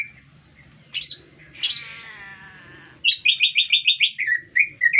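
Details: Green leafbird singing in a city setting: a buzzy harmonic-rich note, then a rapid run of bright repeated whistled notes near the upper range, with a faint low hum beneath.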